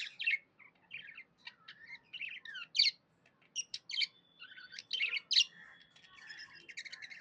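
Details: Pet budgerigar, described as happy, chattering in short scratchy chirps and rising whistles, with a few brief pauses and one thin sustained whistled note near the middle.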